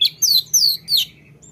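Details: Lesser shortwing song fragment in the rolling style: three quick, piercing downslurred whistles, each bright and sweeping, with a faint high note trailing after a pause.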